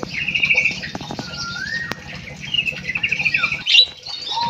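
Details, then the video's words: Munia twittering: quick high chirps and a short buzzy trill, one slurred whistle, then a sharp squeak and a brief wing flutter, with low hum behind. "EMPRIT KJ ISTIMEWAH MENGGEMASKAN"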